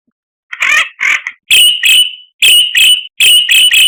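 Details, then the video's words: White-rumped shama (murai batu) in a tutor song packed with varied phrases: two buzzy burbling notes, then sharp whistled notes, each with a bright note held near the top, repeated in quick bursts with short pauses between them. "Masteran Murai Batu Paling Dicari Kicaumania Nomor 1"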